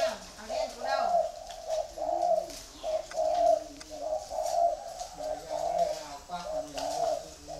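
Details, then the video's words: Several free-range breeding spotted doves at a farm near Hanoi, Vietnam, cooing steadily and loudly, hollow rolling notes grouped into phrases that follow one another almost without pause, with a lower voice underneath. "chim cu gáy nuôi sinh sản thả rông"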